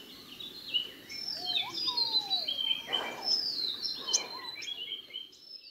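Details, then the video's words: Yellow-footed green pigeon calling: soft, mellow whistles that glide up and down at a moderate pitch, among many higher, busy chirps and twitters from other birds. "हरियल कबूतर ।। yellow footed green pigeon"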